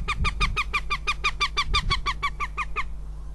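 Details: A northern goshawk in Riga on the morning of 19 February 2017 gives a mating call: a fast, harsh series of about sixteen nasal kek notes, roughly five a second, over a low background rumble.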